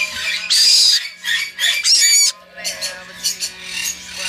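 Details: Tame Black-headed Caique, hatched 10 April 2016, filmed at a bird shop, gives two loud, harsh, shrieking squawks about half a second long, with softer chattering notes between them and a faint steady hum behind.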